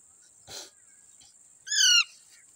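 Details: On green grass, Indian ringneck parrots with a baby parrot: a faint soft noise burst, then one loud harsh, nasal screech lasting about a third of a second, rich and buzzy with a slight downward end.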